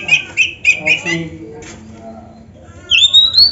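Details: Kacer, the oriental magpie-robin, black-breasted type, in a mimicry-filled training song: a run of four quick scratchy chirps, a softer lower warbling stretch, then a long rising clear whistle.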